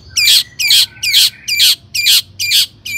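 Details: Long-tailed shrike (cendet) singing energetically, used as a lure to make other shrikes sing. Seven loud, harsh, rasping bursts repeat about every half second, each a high scratchy phrase with a brief buzzy tail, over a faint low hum.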